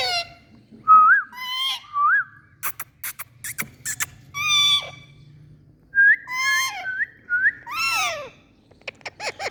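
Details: Indian parrot saying Mithu, mixing rising whistled syllables, clicks and chattering squawks in two bursts, faint hum between.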